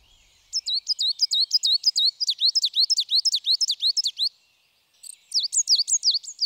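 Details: A Coal tit, a bird tied to conifer stands in mountains and lowlands, sings quick, high, metallic two-note phrases about three per second. The notes flow smoothly into each other, unlike the great tit's, with a brief pause before the song resumes.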